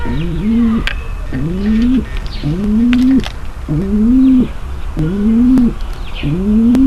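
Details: Female pigeon giving a mating call meant to ready the male for mating: low, rising coos that swell and then flatten, repeated about every 1.2 seconds, with faint higher chirps in the background.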